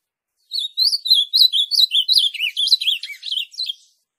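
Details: Ultramarine grosbeak (azulão) song used to stimulate a captive bird to sing: a quick warbled phrase of about fourteen slurred whistled notes, dropping lower midway, then rising again before trailing off; clean background.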